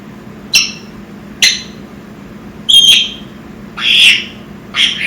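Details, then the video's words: Young pet African grey parrot, six months old, indoors: five short, high calls about a second apart. Some are sharp clicks and some are whistled squawks with a brief pure tone. "making noises (African Grey)"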